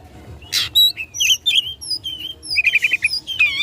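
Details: Oriental magpie-robin in rival-provoking fighting song: a harsh burst, soft warbled whistles, then a rapid run of five repeated notes and a final loud phrase.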